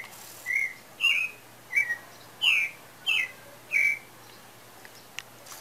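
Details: {'caption': 'Pale-breasted thrush in song with breeding season believed near: six clear, loud whistled notes at roughly half-second intervals, varying between flat, rising and falling shapes, then quiet with faint clicks.'}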